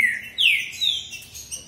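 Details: Brief burst from two male green-winged saltators competing in song: two sharp whistled phrases sweep downward, followed by softer trailing notes.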